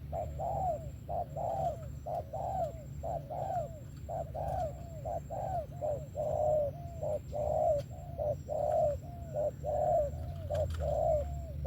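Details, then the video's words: Spotted dove giving thổ-style song, named for its good voice: a long run of mellow coos alternating short and drawn-out notes, repeated roughly once a second, with a constant low droning hum behind. "SẤM THỔ TỐT TIẾNG VỀ TÀNG KÈM 123"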